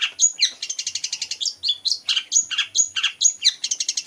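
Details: Long-tailed shrike, known locally as cendet or pentet, singing a mimicked medley of other birds' voices. Rapid, varied high chirps and short whistled notes run in quick succession, some clear whistles sliding, about two notes per second or faster.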